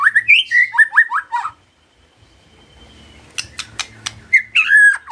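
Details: White-rumped shama, a caged bird stimulated by a lure recording, gives a quick run of repeated rising whistles, a pause with faint hum and sharp clicks, then a rich slurred whistle.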